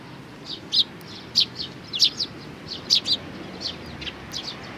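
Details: Chicks and parent sparrows, 11 May 2019, giving rapid high chirps, often in quick pairs, busiest in the middle, fading to softer notes at the end.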